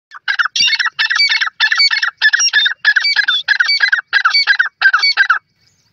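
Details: Grey francolin calling: eight loud, harsh, ringing phrases in quick succession, each about half a second long with brief gaps, steady in pitch and strength across the series, in an otherwise quiet background.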